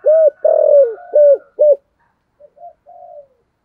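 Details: Spotted dove kept as a decoy bird, cooing in the thổ voice style: four deep, hoarse, arched coos in quick succession, the third drawn out, then a pause and softer, trailing murmured notes.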